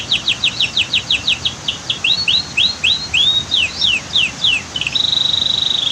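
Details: Canary song set against the roar of a waterfall and weir: quick repeated downslurred chips speeding into rising whistles, ending in a sustained buzzy trill.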